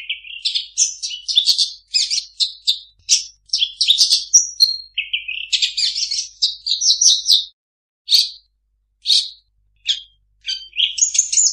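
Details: Long-tailed shrike singing a varied imitation of other birds: rapid chattering chirps and slurred whistles, then sparser single notes toward the end.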